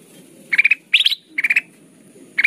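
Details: Kutilang emas (golden bulbul) lure song, sung in the chatty, crystal style. Four short bursts of three or four quick bright chirps, one rising higher, spaced about half a second apart.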